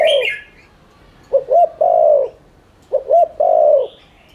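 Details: Spotted dove, a village and rice-field bird, giving its coo as a lure: paired short coos then a drawn-out falling note, twice in quick succession, after a brief high chirp at the start.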